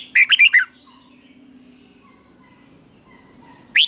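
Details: Red-whiskered bulbul giving a doubled song used to teach young birds: a short lively phrase of four or five bright, slurred notes, a long quiet gap with faint soft whistles, then another phrase starting.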